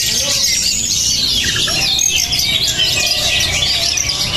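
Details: Spirited Oriental magpie-robin (kacer) delivering fast, high chattering phrases mixed with thin whistled notes. A steady wash of many other birds chirping runs underneath, along with a constant low rumble.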